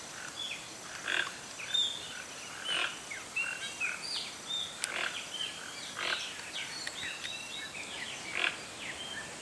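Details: Toco toucan (Ramphastos toco) in Brazil giving harsh, grunting croaks about every second or two, with many thin whistles and chirps from other birds behind.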